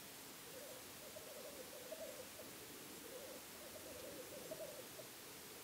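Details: Black grouse heard from a hide during a weekend stakeout: a soft, continuous bubbling, cooing warble in low pulsing phrases rising and falling about twice across a few seconds, faint against a steady hiss of background noise.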